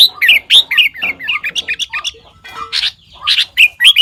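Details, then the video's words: Sooty-headed bulbul mimicking other birds: fast strings of loud chirps and slurred squawky notes, a brief quieter spell, then harsh bursts and clear rising whistles. "เสียงนกปรอดหัวเขม่า นกแทด เลียนเสียงนกได้มากกว่า 5 ชนิด"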